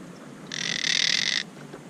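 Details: Nest-building monk parakeets, upset after their tree was climbed, fussing at the camera; a single sustained harsh, grating screech lasting about one second.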